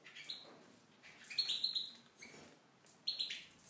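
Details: Caged in an aviary, a Tunisian goldfinch gives twittering phrases of high sweet notes and a drawn-out buzzy trill, then a short pause and another bright burst.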